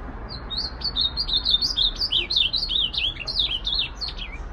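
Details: Ultramarine grosbeak song: a long, lively stream of whistled, zigzagging notes, about three per second, steady in pitch range, with a low background murmur.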